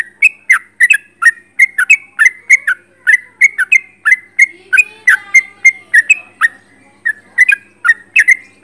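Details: Energetic sooty-headed bulbul singing at close range: a long, almost continuous series of loud slurred whistle pairs, rapidly repeated with brief pauses, over nearly nine seconds.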